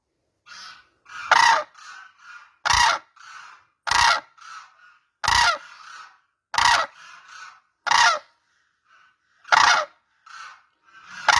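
Loud, harsh trumpeting calls from a crane, bursting out roughly every one to one and a half seconds, with softer, lower calls in between.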